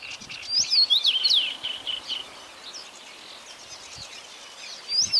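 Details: Common rosefinch singing a short whistled phrase of slurred notes rising and falling, with a second phrase beginning at the end; faint calls of other birds in the background.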